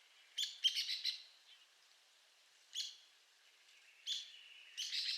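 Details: Arizona woodpecker calling: a fast cluster of sharp, high chattering notes, a lone harsh note, then two more short rattling bursts, with faint hiss behind.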